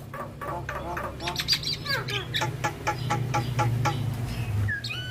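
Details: Javan myna (jalak kebo) in energetic song for training other mynas: rapid rasping chattering notes about twice per second, ending in a couple of rising whistles, with low steady hum beneath.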